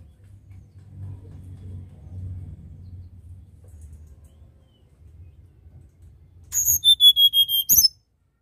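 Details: Tledekan gunung, nyuling style: after several seconds of near silence, one short phrase of a harsh opening note and about six rapid, level whistled notes ending in a sharp chip.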